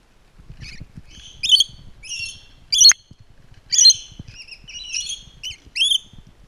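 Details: Rainbow lorikeets at Twycross Zoo during enrichment give a run of sharp, high, harsh screeching notes in quick bursts, roughly one a second, against a quiet background with faint low thumps.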